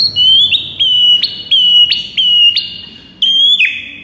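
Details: White-rumped shama repeating a loud, piercing whistle that begins with a sharp upward flick and then holds level, about six times in four seconds, before a longer falling note.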